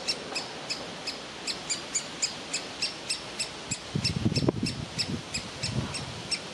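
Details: Young woodpecker waiting in its tree hole to be fed, refusing to leave; steady, rapid, sharp high calls about three per second, with a low rustling patch in the middle.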